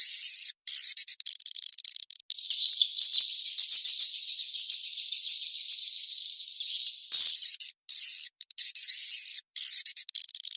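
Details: Swiftlet calling sound, a revised mating-chase lure track. A dense, buzzy, high-pitched chattering runs for several seconds, broken by abrupt silent cuts, then sharp chirps return.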